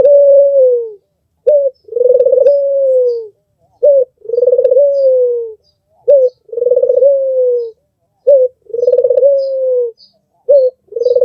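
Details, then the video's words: Tutor-bird albino Barbary dove with red eyes cooing steadily, each phrase a short upward-clipped note and a long pulsing coo that flattens and drops away, repeated five times at even spacing. "SUARA BURUNG PUTER MERDU"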